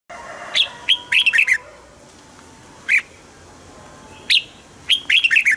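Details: Caged Red-whiskered bulbul singing, played to excite other caged birds: short bright phrases of a clear whistled note followed by three or four quick bubbly warbled notes, with isolated single notes between bursts over a faint steady hum.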